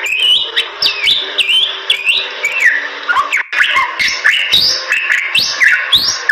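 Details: Bali myna song from Indonesia, with repeated rising and falling whistled phrases, abrupt clicks between notes, and a brief pause midway before the whistles resume.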